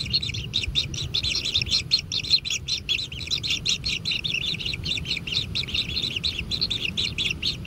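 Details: Feeding time at a natural kingfisher nest: the chicks keep up a brisk, scratchy chatter of short harsh calls, about two and a half each second, steady and insistent, with light low noise.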